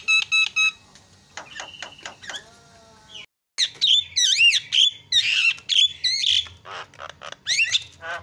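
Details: Loud Javan myna tutor song, described as senior champion singing. Staccato ticks and a brief buzzy rattle lead to a short silence, then twisting squealed whistles, rising and falling, mixed with harsh chatter.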